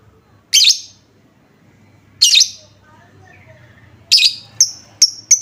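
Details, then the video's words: Lovebird lure call used to trigger other lovebirds to respond: two shrill chirp bursts well spaced, then a faster run of short, sharp, high ticks near the end. "Apapun jenis Lovebird mu, pasti langsung nyaut seketika dengar suara pancingan ini"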